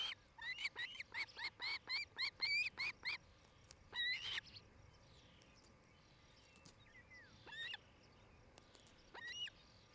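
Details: Osprey at a nest in Charlo, Montana, captured by a nest cam on 8 July 2018 between five and six in the evening: a fast series of about a dozen piercing, upward-inflected whistles, then scattered fainter chirps over soft background noise.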